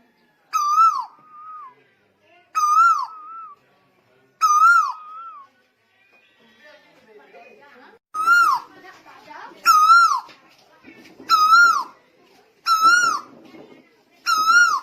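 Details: Lombok tuwu singing energetically: a loud, ringing falling whistle with a softer wavering tail, repeated about every one and a half to two seconds, with a brief pause and scattered background noise midway.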